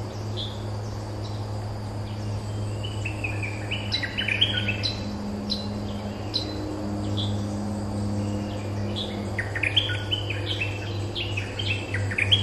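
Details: A territorial resident streak-eared bulbul answers a decoy-call recording phrase for phrase in quick, bright chirping bursts, over a steady low hum and faint insect buzz.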